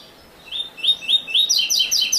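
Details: A Double-collared seedeater (Coleiro) sings the classic song without the third note: a quick run of bright, slurred high notes, about eight in two seconds, starting faint and ending in doubled, ringing phrases.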